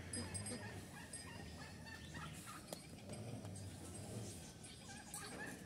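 Bronze turkeys giving rough, gobbling calls through a steady low rumble of farmyard noise, with a few faint higher notes.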